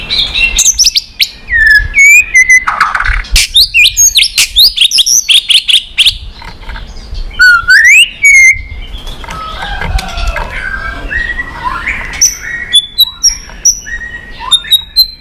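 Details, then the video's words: White-rumped shama singing in many voices, used to excite and train other shamas: loud, varied whistled song of swooping, rising and falling notes mixed with sharp clicks and rapid phrases, continuing throughout with little pause. "Chòe Lửa Hót Nhiều Giọng, Luyện Chòe Lửa Hót Căng"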